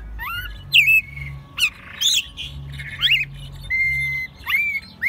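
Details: Hand-raised American robin singing in Mexico City during spring, March 2020; scattered high whistled phrases with sharp upward and downward slurs, some drawn-out flat notes, and a low hum in the background.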